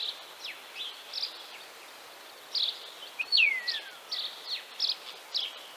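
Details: Sparse Common Starling phrases recorded in Central Russia: scattered short squeaks and chirps with a long, clear whistle that slides downward near the middle, over a quiet hiss of background.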